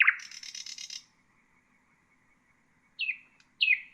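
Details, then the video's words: Common nightingale song phrase for training songbirds: a strong note running into a dense buzzy trill about one second long, a pause, then two clear downslurred notes. "تغريد طائر العندليب"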